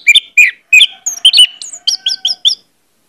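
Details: Orange-headed thrush song used as a lure recording to prompt birds to sing openly: a quick, varied run of sweet whistled and chirping notes, slurred phrases giving way to short bright chips, lasting about two and a half seconds before falling silent, over a faint steady hum.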